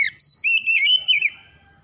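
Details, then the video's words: Oriental magpie-robin singing, used as a lure to get stressed or silent birds singing again. A short, loud whistled phrase of several linked notes that waver and slur downward, fading at the close. "PANCINGAN PEMULIH KACER SETRES DAN MACET BUNYI CEPAT GACOR"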